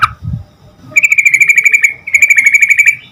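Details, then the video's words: Yellow-vented bulbul in full song, used to make other bulbuls answer quickly: a single sharp note, then two rapid bursts of about a dozen bright, chattering notes each, steady in pitch, over low background rumble. "Suara Trucukan Gacor Agar Burung Trucuk Cepat Nyaut Garuda"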